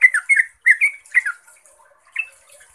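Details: Yellow-vented bulbul (trucuk) giving its lively 'ropelan' song, used as a lure to make other bulbuls answer; three quick bursts of bubbly, liquid warbled notes, a pause, then one short final phrase, over a faint high hiss.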